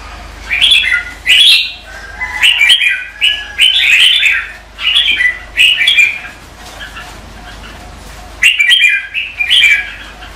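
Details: Red-whiskered bulbul competitive morning song used to stir birds into singing: distinct loud, liquid warbled phrases about every second, each under a second long, with a pause before a final cluster.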